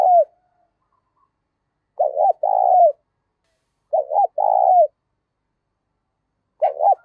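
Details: Spotted dove cooing in the loud, clear 'giọng thổ pha' style with little background noise: low, hollow two-part coos, a short stuttered note then a longer sustained one, repeated about every two seconds, one cut off at each end.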